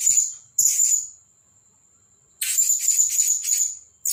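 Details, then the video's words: Blue-crowned hanging parrot kept as a caged decoy, freshly moved from its trap: a short shrill burst, then over a second of thin high whine, then a longer run of sharp, very high chattering notes. "Denak Pemikat Burung Serindit Dada Merah"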